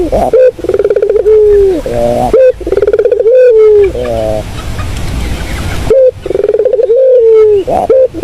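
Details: Spotted dove cooing, used for luring birds: loud, low, rolling coos in repeated phrases of several notes, some with a throaty purr, separated by short pauses, recorded close and overdriven.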